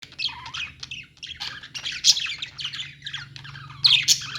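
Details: Budgerigars in a pet store chattering as a flock: dense overlapping chirps, squeaks and warbled notes, with a few louder sharp squawks and a steady low hum underneath.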